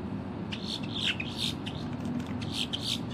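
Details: Female Boat-tailed Grackle singing in October 2023: a run of short, harsh chips and squeaky, clipped notes in quick irregular bursts, with a steady low rumble underneath throughout.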